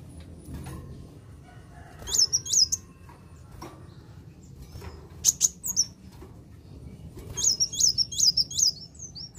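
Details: Purple-throated sunbird song used to work up other birds: brief, well-spaced bursts of very high, sharp swooping chirps, a few notes at a time, with soft low background rumble.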